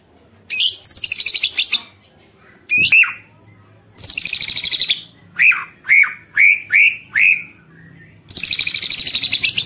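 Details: White-rumped shama song used to provoke other shamas: harsh buzzy rattles alternating with a run of five clear arched whistles about half a second apart.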